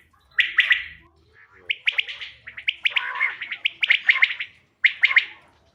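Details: Quail calling, played to lure birds for hunting: bursts of short, bright repeated notes in tight clusters, broken by brief pauses, with some harsher chatter in the middle and little background noise.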